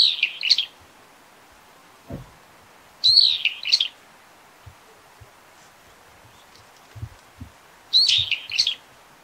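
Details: Brown-eared bulbul calling, a wild bird: three loud shrill squealing bursts, each about a second long, spaced roughly every three to five seconds, with a faint rustle and quiet background between them.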